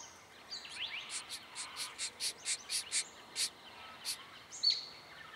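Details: In Victoria, Australia, November 2014, a diamond firetail gives a quickening series of about a dozen buzzy, nasal notes. After a short pause come a couple more, with faint high twitters behind.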